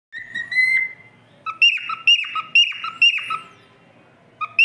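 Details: A silver cockatiel sings clear whistled notes, a long steady whistle followed by quick repeated chirping phrases.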